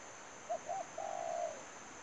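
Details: Spotted dove used as a decoy for trapping: two short clipped notes, then one long mellow coo that slurs slightly downward. A steady high whine runs underneath.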